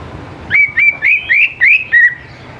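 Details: Greater green leafbird in full song, played to coax young leafbirds into singing: six ringing whistles, each slurred slightly upward, delivered evenly about every quarter second.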